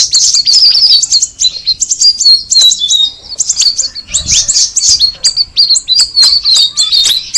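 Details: Dense run of sharp, high chirps and twitters from a straw-headed bulbul (cucak rawis), with a short lull around the third second before the rapid notes continue.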